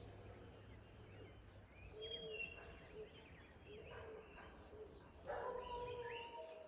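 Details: Black-backed grosbeak in Peru singing short, rich whistled phrases rising and falling, amid other bird calls and steady high insect ticking.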